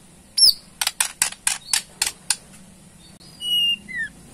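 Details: Ketrekan of a Borneo white-rumped shama, a provoking rattle: one high whistle, then a quick row of dry buzzy ticks, followed by a pause and soft sliding whistles.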